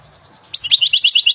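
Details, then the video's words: Wild European goldfinch producing a quick, bright string of chirping twitters for under a second. "The song of the goldfinch"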